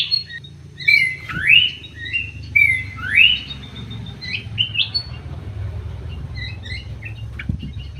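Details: Aviary common green magpie wearing an anklet, two pairs of flat whistles each followed by a loud rising slur, then quieter chirps, over a steady low hum.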